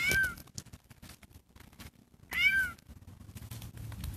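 A gray catbird gives two short, slurred, cat-like mews about two seconds apart, over a low background rumble and faint clicks.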